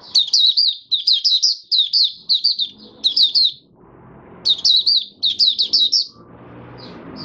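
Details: Oriental white-eye of the Mata Puteh Raja type, kept bird, singing freely on the fifth day after its monthly deworming, January 2022: quick high chirpy phrases, each a twisting cluster of notes, repeated in rapid bursts with short gaps, faint room noise.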